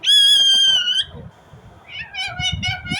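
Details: Loud Indian ringneck parrot natural sound: a sustained, steady, strident screech of about a second, a short pause, then a rapid series of rasping, stuttering chirps.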